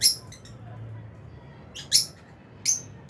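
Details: Albino and Fisher's lovebirds in an aviary: quick shrill chirps in a burst, several sharp high notes close together over a few seconds, low hum beneath.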